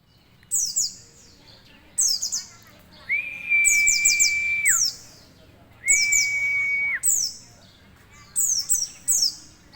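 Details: White-eye singing: bursts of very high, thin, rapidly down-slurred twittering phrases roughly every two seconds, twice broken by a long, flat, steady whistle at a lower pitch lasting over a second.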